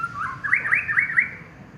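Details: Champion contest white-rumped shama giving a brief, fast run of four or five ringing, wavering whistled notes that fade out within two seconds.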